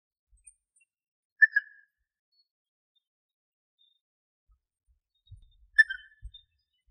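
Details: A male and female European bee-eater pair in Greece give two short, liquid, rolling 'prruit' calls about four seconds apart, with a few soft low thumps near the end.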